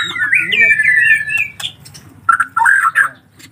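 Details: Young collared kingfisher chicks: a long, drawn-out squawk that wavers in pitch, then a silent gap, then a burst of shorter rasping squawks, with faint voices in the background.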